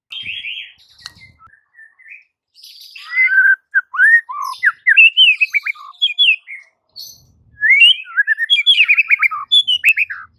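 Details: White-rumped shama (murai batu) training song played to coax silent shamas into singing: rich, varied whistled phrases, some rising and some falling, mixed with quick chattering notes in a fast, continuous flowing run.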